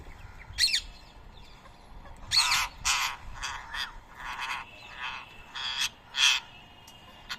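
Indian ringneck parrots squabbling: harsh, broad screeching squawks in uneven bursts, some short and some drawn out, over a faint background hiss.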